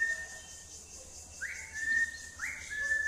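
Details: Tame cockatiel giving a clean whistled phrase: a steady held tone, then two quick upward swoops about a second apart, each settling into a long even note, over a soft background hiss.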